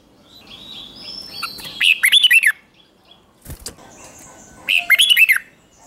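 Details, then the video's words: Red-whiskered bulbul singing in the morning, used to train fierce competition song; faint drawn whistles lead into a bubbly, looping phrase, a sharp knock, then a second matching phrase. "Luyện chào mào hót sáng | chào mào hót đấu"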